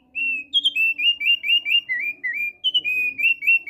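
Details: Continuous song of a male thick-billed white-eye: a quick chain of short, ringing whistled notes, mostly level, with a few dipping lower and others jumping higher, roughly four notes per second. A faint background hum is present.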